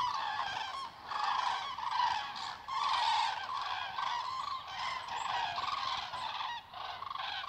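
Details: Many common cranes flying overhead near Darß, Mecklenburg-Vorpommern, in October 2018 give loud, rolling, trumpeting calls in overlapping waves, continuous throughout with no other sounds standing out.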